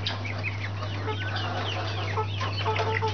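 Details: Several Brahma chicks peeping together, a dense chorus of thin, high, downslurred cheeps overlapping, over a steady low electrical hum.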